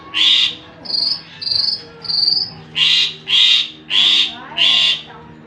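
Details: Javan pied starling sounds used as a lure, opening with a raspy burst, then three thin, high drawn notes, then four loud harsh chattering bursts in steady succession.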